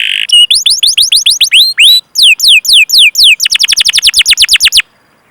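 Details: Canary training song meant to prompt other canaries to sing: a buzzy note, then series of crisp descending whistled sweeps at varying speeds, ending in a quick rolling run and silence.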